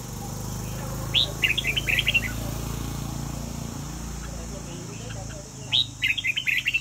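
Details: Red-whiskered bulbul from Vietnam singing during a competition: two quick phrases of clear, liquid whistled notes, each opening with a sharp rising note, separated by a pause, over a constant low hum.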